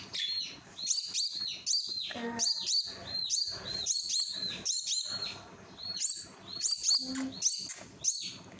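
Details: A common myna chick being hand-fed begs with harsh, high, raspy chirps, two or three a second, in insistent bursts; a few brief lower squeaks or handling sounds come between them.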